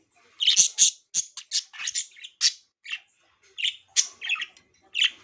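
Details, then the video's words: Pet budgerigars, several kept together, chirping excitedly: bursts of sharp, scratchy chirps and short squawks in irregular clusters, some notes very high, with brief gaps between them. "Budgies Crazy Chirp Sounds"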